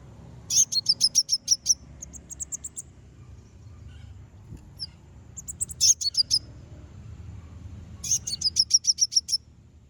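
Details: Konin song meant to stir rival birds into answering: three bursts of rapid, high, ringing notes, each burst about a second long with roughly eight quick repeated chirps, separated by quiet gaps.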